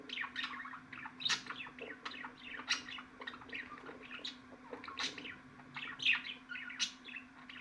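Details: Budgerigars in a continuous chattering warble of quick chirps, squeaks and sharp clicks, rising and falling without pause, with a steady low electrical hum underneath.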